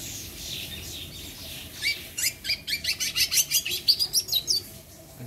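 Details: Great-billed seed finch singing a fast run of bright, clear notes, about a dozen evenly spaced phrases in quick succession, preceded by softer scattered chirps and faint background noise.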